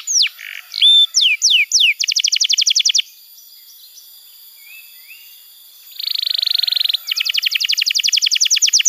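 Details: Canary song for tutoring young birds and prompting silent ones: a few swooping whistles lead into a clipped rattling trill, followed by about three seconds of near silence and then a dense buzzy trill and another rattle.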